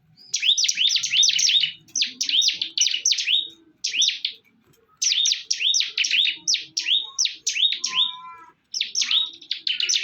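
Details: Bar-winged prinia in a heated fight, delivering bursts of fast high chirping notes in groups separated by short silences, fairly clean background with a brief faint lower tone.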